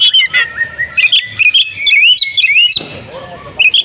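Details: Female oriental magpie-robin kept at home, singing hard with imitated phrases: quick twisting whistles and high chirps packed closely together, then a softer, lower warbled passage near the end.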